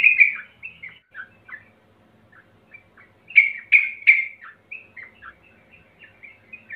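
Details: Sooty-headed bulbul song meant to prompt birds to sing: a warbled opening burst, scattered chirps, then three loud sharp downslurred notes followed by a string of softer twittering phrases.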